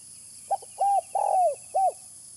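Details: Spotted dove lure call: short stuttered opening note, a held coo, a long burry descending coo, and an arched closing coo, clear above low steady hiss.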